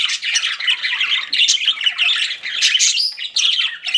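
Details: Several pet budgerigars chatter without pause, bright squeaks and rasping warbled chirps overlapping in a dense, lively stream.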